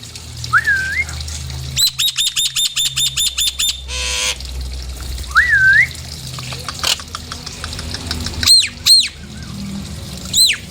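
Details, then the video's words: A Nias hill myna calls to stir other birds into singing. Two liquid, rising-and-falling whistles frame a rapid, even stutter of short, high clicks and a brief harsh rasp, followed by a few loud, separate, arched whistles. "PANCINGAN SUARA JALAK NIAS"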